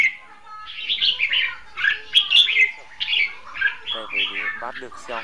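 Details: Red-whiskered bulbul singing as a caged decoy bird used for trapping, with the wild bird heard far off: varied warbled and whistled phrases, a few louder sharp notes, and a run of nasal, buzzy calls near the end.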